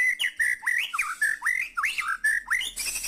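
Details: White-rumped shama, kept as a cage bird, singing energetically: clear whistled phrases repeated about four times a second, rising and falling sweeps and quick slurred notes, with buzzy high notes near the end.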